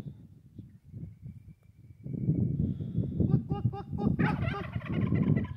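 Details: Male Sweetgrass turkey, a tom out on a morning walk after escaping, gobbling in a rapid rattling burst of warbling notes in the second half, after low rumbling noise; a person greets him nearby.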